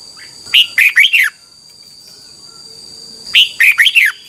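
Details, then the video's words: Red-whiskered bulbul, Thailand, singing a training song for young cage birds. Two matching phrases of four quick, bright, slurred notes about three seconds apart, with quiet between and a steady high whine throughout. "นกกรงหัวจุก, 30 นาทีทุกเช้า เพื่อให้นกเรียนรู้ที่จะพูดได้อย่างรวดเร็วและหนักแน่น"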